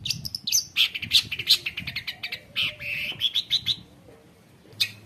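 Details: Dense 'gacor konslet' song of a long-tailed shrike, full of imitated phrases and meant as a tutor for young shrikes: jumbled harsh chatter and bright chirps in quick succession, easing into sparse notes near the end.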